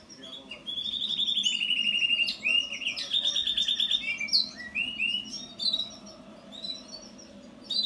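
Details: House finch song as a lively run of varied notes, opening with a sustained buzzy trill, then quick whistled slurs and chirps that rise and fall, fading near the end, with a faint low hum behind.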